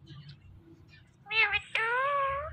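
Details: Pet parrot, a female, talking during play with her best friend: after quiet murmuring, a short harmonic syllable is followed by a sudden sharp onset and a long, level, drawn-out vocal tone.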